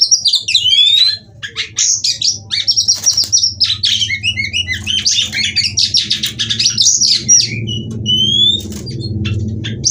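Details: Female white-rumped shama singing, used to stimulate singing: rapid chattering chirps and whistles in dense phrases, a steady low hum growing louder toward the end.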